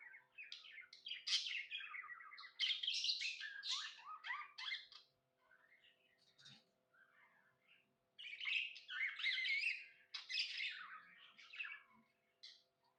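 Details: Pet budgerigar, described as happy, chirping indoors in a small room: two bursts of dense, buzzy warbling chatter with quick high chirps, separated by a quieter pause with a few soft twitters.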